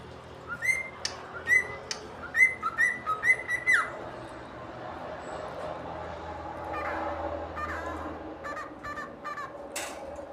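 A cockatiel gives a quick run of loud, clear whistled notes, then softer chatter and chirps.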